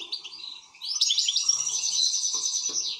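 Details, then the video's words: European goldfinch, excited, moving from soft twitters into a sustained rapid buzzy trill lasting about two seconds. "حسون هائج"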